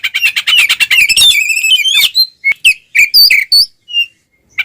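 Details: Oriental magpie-robin delivering its ngeplong fighting song to provoke rivals, starting with fast dense chattering notes and turning into spaced, downslurred whistles with short silent gaps.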